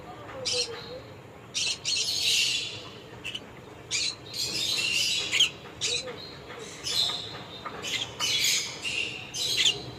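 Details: Conure calls: harsh, broad squawks and screeches in repeated bursts of about half a second to a second, with short chirps between, over a faint background hum.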